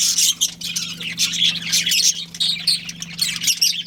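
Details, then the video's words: Budgerigar breeding pair at home, continuous dense warbling chatter with high chirps and squeaky notes running without pause, a low hum in the background. "Adorable Budgies Chirping Sounds"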